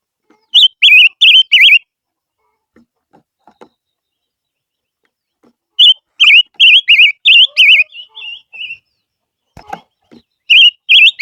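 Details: Lure song of a barbet: three phrases of four or five rapid, high, warbling whistles about five seconds apart, with a few soft knocks and taps between phrases.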